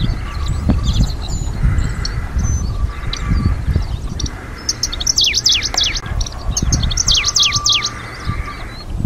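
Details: Middendorff's grasshopper warbler (Helopsaltes ochotensis), recorded in 2023; it breeds only in Hokkaido, singing in natural coastal flower meadows. Two short bursts of sharp, high, rapidly falling notes, about a second each, over steady low wind rumble and faint hums.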